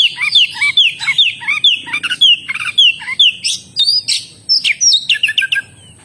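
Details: Oriental magpie-robin singing hard, strings of crisp downward-sliding whistles repeated roughly every half second, mixed with sharp chirps and higher piping notes, continuous and lively throughout, a thin steady hiss underneath.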